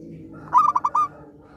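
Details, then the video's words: Zebra dove singing keenly, meant to coax silent doves into song: a single phrase of about five quick, clipped notes near one pitch, lasting half a second, over a faint low hum. "perkutut gacor rajin manggung"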